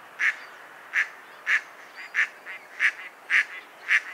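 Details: Mallard quacking at an uneven pace, seven or eight rasping notes roughly half a second apart, with softer calls between them.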